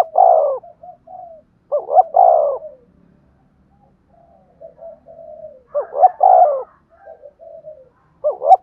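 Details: Spotted dove calls played to stir decoy birds: several loud phrases of upswept notes ending in a long falling coo, irregularly spaced, with gentle low coos filling the pauses.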